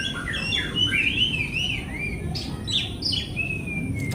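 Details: Oriental magpie-robin (kacer) lure song for silent or stressed birds: a run of varied slurred whistles and short chirps, ending in a long steady falling whistle, over a low background hum.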